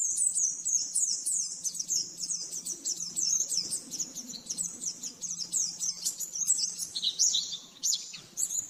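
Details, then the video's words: Rapid master song of an oriental white-eye, used to train caged birds: a dense stream of high, quick twittering notes and short trills running without pause, a low steady hum in the background. "Masteran burung pleci nembak-nembak 100% jernih"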